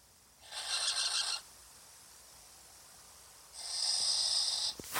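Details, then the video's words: Strange noises from a barn owl on a nest webcam: two long, harsh hissing rasps, each about a second, separated by roughly two seconds of near silence, with a sharp click at the end. "Ruidos raros en la Webcam lechuza/Strange noises on the barn owl webcam."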